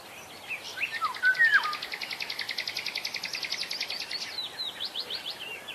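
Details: Black-naped oriole singing in the wild: a short loud fluted whistled phrase, slurring up and down, over a continuous fast pulsing insect-like trill that runs through the whole recording.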